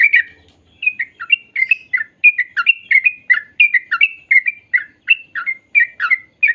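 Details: Sooty-headed bulbul song played to train young birds to sing: clear, bubbly notes in quick succession, roughly three per second, evenly loud on a quiet background.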